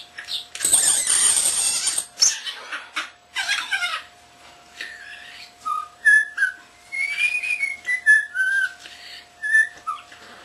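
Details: Pet common starling, under a year old, whistling indoors, known to whistle the "Hi Ho" tune: a loud harsh rasp opens, then a sequence of clear whistled tones that step up and down, several sustained and slurred.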